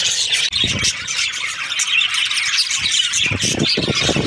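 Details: Budgies, or parakeets, during breeding season, chattering in a busy mass of high squeaky chirps and scratchy warbles, with low thumping knocks in the background.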